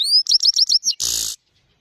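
A goldfinch sings a quick burst: a rising high whistle, four fast bright twittering notes, then a harsh buzzy rasp before it stops.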